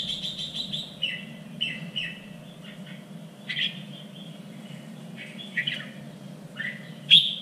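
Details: Red-whiskered bulbul training song for contests in a standard three-region Vietnamese voice: fainter series of quick whistled notes and scattered short phrases, ending in one loud sharp note, with steady low hum.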